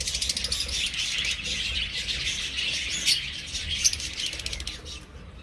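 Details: Colony budgerigars in an aviary produce a thick wash of high chirps and warbles that thins and fades toward the end.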